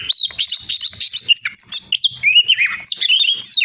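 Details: Old white-breasted Oriental magpie-robin singing a rich, fast medley of clear whistles, slurred rising and falling notes and short chirps, delivered in quick bursts without pause.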